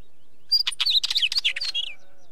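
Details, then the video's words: Wheatear giving a quick burst of scratchy, chattering high notes mixed with short whistles, lasting about one and a half seconds, then a faint low tone. "Wheatear Bird call - Bird Song"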